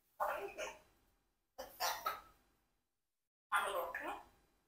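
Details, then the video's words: Four-year-old pet Congo African grey parrot talking indoors, asking questions: three separate speech-like phrases, each a burst of rough, voice-like syllables roughly a second long, spaced by clean silent gaps. "Parrot Rocky Asked Many Unexpected Questions"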